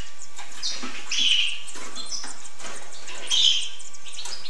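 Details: Hooded siskin singing: two bright twittering bursts with a buzzy, ringing note, separated by softer chattering and scattered chirps.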